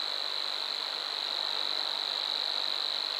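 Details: Savi's warbler at Bolimów reservoir delivering a steady, monotonous high buzzing reel without pause, over a wash of background hiss.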